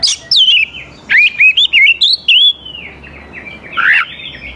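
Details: Oriental magpie-robin song for luring young wild birds: a falling whistle opens, then a chain of wavering, rising-and-falling whistled notes, ending with a harsher chirp.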